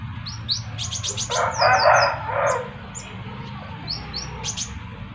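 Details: Sunbird with another sunbird replying: thin high chirps and brief downslurred notes in small clusters, interrupted midway by a harsh, noisy burst, against a low steady hum.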